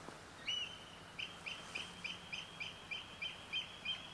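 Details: Eurasian oystercatcher calling on the night of 6–7 July 2014: loud, shrill piping notes, about three a second in an uneven run, over quiet background hiss.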